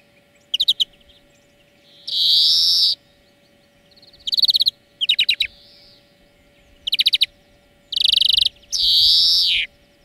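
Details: European greenfinch song played as a lesson for training birds: short rapid high trills alternating with long wheezy buzzing notes, each buzz about a second long, over a steady low background hum.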